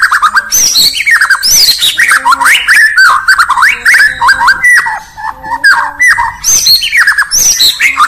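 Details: A white-rumped shama from Indonesia sings in the morning: a rich, unbroken run of varied phrases of clear fluty whistles, quick rising and falling slurs, and harsher chattering notes.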